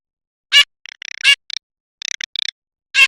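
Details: Garganey, a summer duck, sounds short rattling clicks in quick bursts between a few sharp nasal notes, irregularly spaced over three seconds, in a quiet background.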